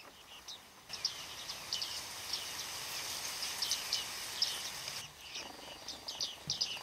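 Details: Bearded reedlings calling as a flock in autumn, Flamingo Lake, Shirvan National Park, Azerbaijan, 8 November 2013; many overlapping high, metallic pinging notes over a steady hiss of background noise.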